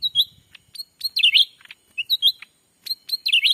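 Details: A black-capped bulbul lure recording from Sumatra's forest: lively bursts of high, bending chirps in quick clusters about once a second, with a faint low thudding at the start.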